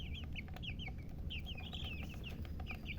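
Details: Domestic chicks peeping: repeated high, down-slurred cheeps, several per second, over a steady low rumble of background noise.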